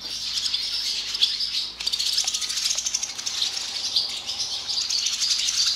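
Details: Many barn swallows swarming into an equipment barn when a door is opened: a dense mass of high twittering chirps overlapping continuously, with faint clicks and rustling.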